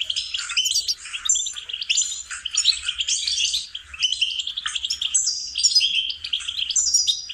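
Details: Melodious goldfinch song used to teach songbirds, a lively run of rapid chirps, liquid twitters and high slurred notes lasting about seven seconds with barely a pause.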